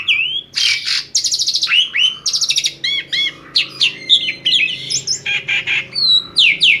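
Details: Asian pied starling singing to draw other birds into song: long lively medley of rapid rattles, slurred whistles and harsh chatter, with a faint low background hum throughout.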